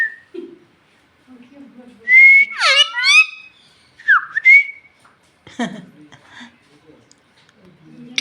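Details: Parrot that talks in Bhojpuri, saying it is hungry and asking for roti: level whistle sliding into a harsh descending voiced phrase, then a dipping whistle and scattered clicks, with faint low murmuring.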